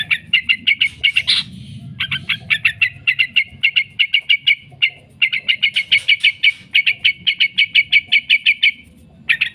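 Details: Long 'ngekek' chatter of a yellow-vented bulbul, played to train bulbuls and stir them to respond: steady volleys of quick, piercing repeated notes with occasional brief pauses, faint low background noise.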